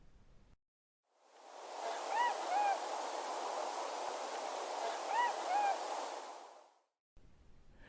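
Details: In fall near Helena, Montana, as the weather turns freezing, tundra swans passing overhead with snow geese give two pairs of high, mellow, plaintive, slightly bending hoots about three seconds apart, half-buried in a steady rushing noise like wind or surf.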